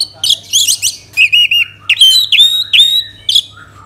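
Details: Orange-headed thrush, sung to prompt other birds into song: varied loud phrases, harsh buzzy notes at first, then level whistles and sharp slurred whistles repeated at roughly half-second intervals.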